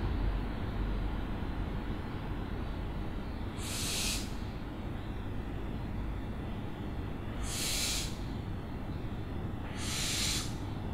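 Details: Three breathy, rasping screeches from an owl, spaced about four and then two seconds apart, standing out against a steady low droning background.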